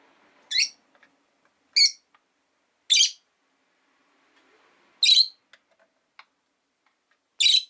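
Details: Rosy-faced lovebirds, five pet birds caged beside a window: five harsh, shrill chirps at uneven intervals of one to two seconds, with soft ticks and faint background noise between.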